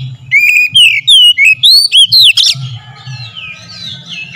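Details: Oriental magpie-robin (kacer) singing in a lure recording meant to provoke other birds to sing: loud, clear slurred whistles, rising and falling, in a quick burst of about eight notes, then softer warbling behind a faint low hum.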